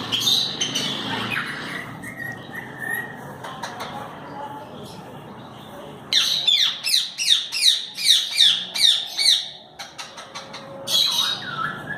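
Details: Rose-ringed parakeet, a pet shown growing and learning to talk in Urdu/Hindi, gives a run of loud, harsh, high squawks about three per second for four seconds, then another burst near the end, after quieter mixed sounds with faint speech.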